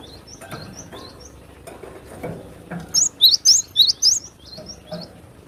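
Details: Sharp besetan song from a wild cinereous tit: after soft, faint high chirps from other birds, a run of five loud, piercing slurred whistles repeats quickly, then fades back into faint background chirping.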